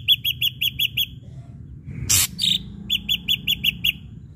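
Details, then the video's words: Ashy drongo lure song for prompting other birds to sing: rapid runs of evenly spaced sharp chips broken by a loud harsh rasp and a buzzy note in the middle. "srigunting abu abu gacor PANCINGAN"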